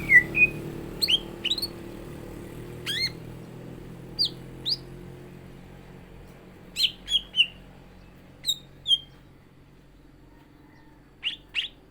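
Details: Greater green leafbird (cucak ijo), a caged bird being prepared to face a contest rival, gives scattered sharp chirps and brief rising whistles separated by pauses of a second or more.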